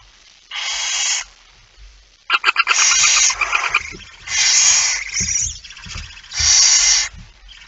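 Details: Barn owl, a male arriving with a mouse, 23:55 on 17 September 2019; repeated harsh breathy hisses with a burst of rapid clicking pulses between them, plus soft low thumps.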